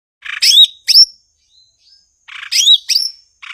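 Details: Blue-winged leafbird (cucak ijo) in full song: two bursts of bright, high chattering notes with sharp downslurred whistles, separated by a near-silent pause with faint thin tones.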